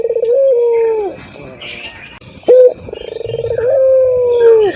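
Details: Local ringed turtle dove cooing vigorously, meant to coax other doves into calling. A steady coo falls off at its end. After a pause comes a loud clipped note, then a throbbing roll that leads into another long, sinking coo.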